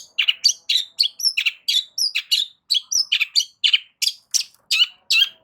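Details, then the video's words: Loud song of a Long-tailed shrike aimed at making silent shrikes answer: rapid, varied chattering notes mixed with high squeaky whistles and scratchy bursts, nearly continuous for over five seconds. "Cendet DIAM Pasti Tak Tahan Dan MERESPON Gacor Bongkar Isian Dengan Suara Kicauan Cendet KERAS"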